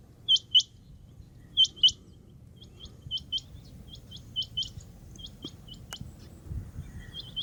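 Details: Rain quail calling: two loud pairs of sharp, high, clipped notes open the clip, followed by a run of fainter, quicker single notes and a brief click, over a low steady background rumble.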